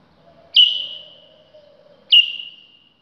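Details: A White-eared bulbul (Pycnonotus leucotis), called Iraqi bulbul, gives two clear whistled notes about a second and a half apart, each dropping sharply then trailing off slowly, over a faint low hum.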